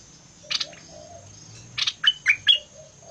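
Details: Fierce-style bulbul song: a short buzzy burst, a pause, then four quick clear whistled notes that rise and fall, against a quiet background.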